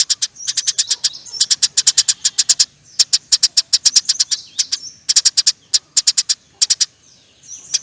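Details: Sparrow in full, lively song, recorded as songbird training material. Bursts of rapid, sharp chirps alternate with short pauses. Each burst is a quick stuttering series, with a few thinner high notes between runs.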